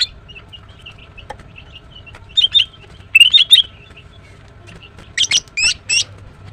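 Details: A female greater green leafbird (green cucak) opens with soft twittering, then loud bursts of bright, warbled whistles, ending in three sharp, steeply rising chirps.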